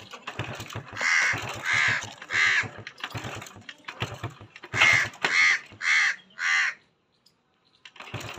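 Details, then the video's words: Green parrot giving a series of harsh, raspy squawks in quick bursts, about one every half second, then a pause of near silence before soft clicking resumes. "Green Parrot talk show"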